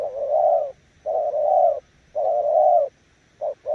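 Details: Spotted dove decoy bird giving long, low, throaty 'gù' coos lasting under a second each, separated by brief pauses, ending with two quick short notes.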